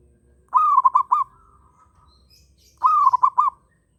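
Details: Local zebra dove in strong breeding condition, accompanied by other birds: two rhythmic phrases of four quick trilled coos, about two seconds apart, with a fading tone and faint high chirps in between.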